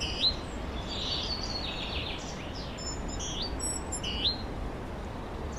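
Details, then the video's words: Forest birdsong in spring, 2023: scattered short chirps and thin high whistles from a few birds, spaced irregularly, softer than the steady low background rumble beneath them. "Пение лесных птиц"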